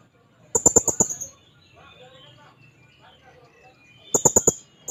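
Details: Shrill, very high chattering bursts from a blue-crowned hanging parrot looking for a rival. Each rapid string of sharp notes lasts under a second, with quiet scattered twitters and low hum between them.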